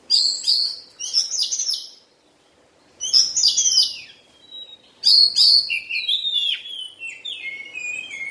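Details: Moulting Oriental magpie-robin, a caged kacer, delivering three bursts of sharp chattering notes and descending whistles separated by brief silences.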